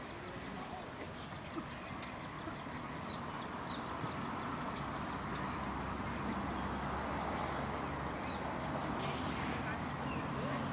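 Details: Three great spotted woodpecker young fed at a beech-tree nest in a city park in Leeuwarden, adults coming and going; fast, high, dry ticking notes in a steady stream over constant traffic-like hum.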